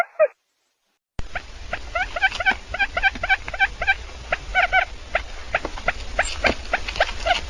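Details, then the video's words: Quail give quick runs of short, nasal chirping notes, several birds overlapping in a busy chatter, with a low background hum. "बटेर की आवाज || Quail Bird Awaaz"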